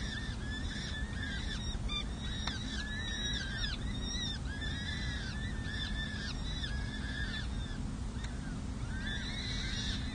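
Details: Peregrine falcon nestlings, four chicks at six and seven days old, San Jose City Hall, May 2024, being fed: dense overlapping curved chirps almost nonstop, above loud low rumbling background noise.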